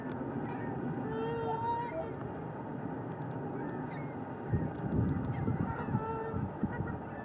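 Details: A trumpeter swan pair, possibly pair bonding and driving off their older young, give low, brassy honks, some drawn out, over steady rumbling background noise; recorded 4 April 2015.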